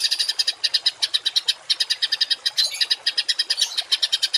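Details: Harsh 'tembakan kasar' songbird recording used to train cage birds: rapid chattering series of gritty, evenly spaced notes, about six per second, continuing almost without pause.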